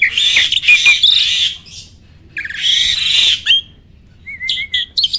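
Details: Starling song used to provoke other birds to sing: two long harsh, grating bursts separated by a quiet gap, followed by a short wavering whistle and a few sharp chirps.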